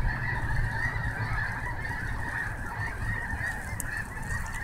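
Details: Snow geese at Snohomish, a dense, continuous chorus of overlapping honks from many birds, steady and unbroken, over a low rumbling background.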